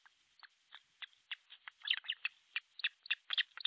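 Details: Osprey at an artificial nest in Pohjois Satakunta, Finland, on a July 2023 midday: sharp whistled chirps that quicken and grow louder, several per second by the end, over faint background hiss.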